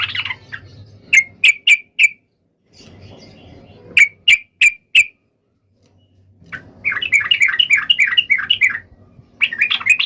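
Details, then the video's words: Yellow-vented bulbul in fighting song meant to draw answers from other bulbuls: sharp, clicking ticks in two short series, then a fast run of bubbly, chattering notes in the second half. "trucukan gacor SUARA TARUNG INI menjadikan burung trucuk gacor NYAUT SEKETIKA"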